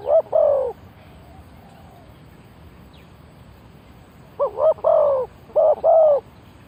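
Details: Spotted dove acting as a decoy to draw in wild birds: a pair of throaty coos, then a long silence, then a tighter group of three to four wavering coos over light background hiss.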